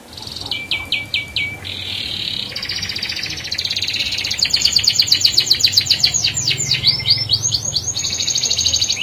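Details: Domestic canary singing a lively rolling song meant to draw other canaries into song: a burst of buzzy rattle, quick downslurred whistles, then long dense high trills and repeated sweeping notes, steady and loud throughout.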